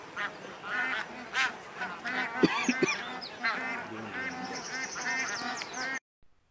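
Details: Migrating bar-headed geese in Pakistan: several nasal honks, some of them doubled, rise over steady background noise, with a few sharp knocks midway and a quieter spell of calling before the sound cuts off.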